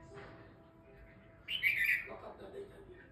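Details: A Kashmir bulbul gives one brief, bright, slightly harsh warbled phrase that drops into a lower chatter at the end, over a faint steady hum.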